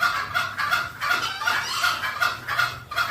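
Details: Lure recording of green junglefowl meant to attract wild birds: a fast run of short, raspy calls, each topped by a clear ringing note, coming about every third of a second at a steady level.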